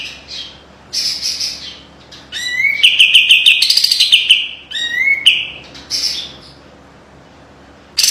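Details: White-eye (kapas tembak) singing a tight-trilled master song: soft high notes, then a rising slur into a rapid bright trill with sparkling accents, another upslurred whistle, and quieter phrases fading into silence.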